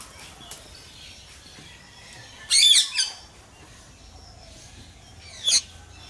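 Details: Ringneck parrot letting out a loud raspy screech followed by a brief second note, then one more harsh squawk a few seconds later over a quiet background.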